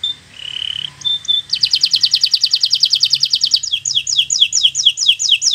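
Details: Song of a bottle-green local canary, used to teach young birds to sing: a short whistle, then a long rapid trill of high notes, changing into quicker downward-sweeping repeated notes.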